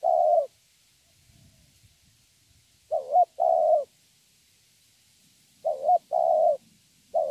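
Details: Young spotted dove, wild-caught, delivering thổ-style song: paired coos, a brief rising-falling note then a sustained one, repeated every three seconds or so in otherwise quiet surroundings.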